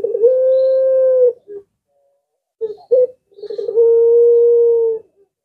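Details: Puter pelung collared dove, whose call is said to prompt replies from other birds. A fluttering lead-in gives way to a sustained low steady coo, a few short notes, then the same long call repeated.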